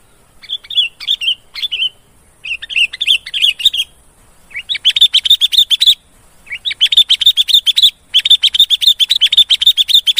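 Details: Sooty-headed bulbul, used as a lure call to attract wild bulbuls, gives bursts of quick, high chirping notes, several per second, in phrases broken by short pauses.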